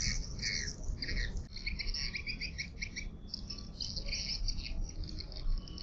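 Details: Swiftlet lure sound meant for calling swiftlets through a tweeter speaker: bursts of bright, chattering chirps repeated in short clusters, with low background rumble throughout.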